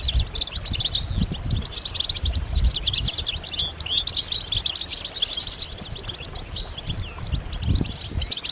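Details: Many European goldfinches twittering at once, mating calls said to excite males: an unbroken stream of bright tinkling chirps and buzzy rattles, with low thuds underneath.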